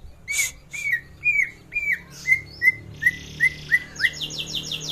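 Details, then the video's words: Greater green leafbird lure song, used to prompt other birds to sing: a series of clear, slurred whistles repeated about twice a second, ending in a run of quick, high buzzy notes. "suara pancingan burung cucak ijo"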